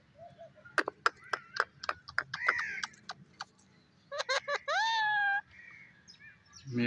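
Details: Pet parrot calling, with sharp clicking notes, a few harsh squawks, and a drawn-out nasal tonal call near the end, over low background hum.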